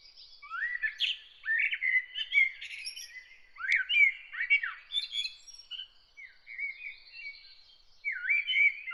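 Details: Bird singing early in the morning: bright, varied chirps and short warbled phrases with quick rising and falling notes, delivered in bursts with brief pauses, clear and close with no other noticeable sounds.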